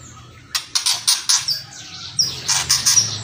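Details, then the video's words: Murai batu, the white-rumped shama, delivering kretekan crackles: a rapid run of harsh broadband clicks, a pause, then another burst mixed with thin, high whistled notes, with faint low hum behind. "DONGKRAK EMOSI MURAI BATU... KRETEKAN & SIULAN"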